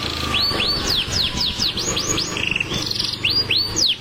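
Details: Canary in steady contest-ready song: evenly spaced sweeping whistles that rise and fall, a brief lower buzzy trill, then more looping notes.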